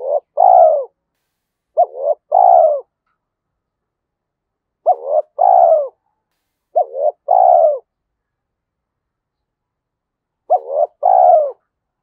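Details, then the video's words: Spotted dove in 'giọng thổ' style, named Thúc Đấu voice, valued for trapping in forest; five two-part coo phrases spaced irregularly over twelve seconds, each a brief rising note followed by a fuller descending hoot, clean and clear. "cu gáy giọng thổ Thúc Đấu giọng hợp rừng khi đi gài"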